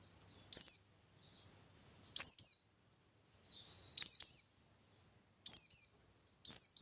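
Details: Buxtoni white-eye singing in the vigorous 'ngalas' style with 'tembakan' bursts, used as playback to provoke other white-eyes into answering: high, thin, quickly descending twittered phrases, each about half a second, repeated every one to two seconds, with soft chatter between and no other sounds.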